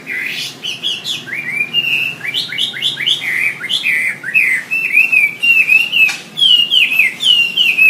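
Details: Hill prinia song used as a tutor recording for songbirds: a fast, lively run of chirping, slurred whistled notes, about two per second, rising and falling in a high register, no other sounds.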